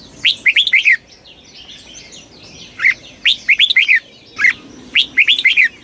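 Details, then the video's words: Fast stimulating song of a red-whiskered bulbul: rich, bubbly phrases of four or five quick, slurred notes, repeated several times over faint, high, thin background whistles. "tiếng chim chào mào kích bổi cực nhanh"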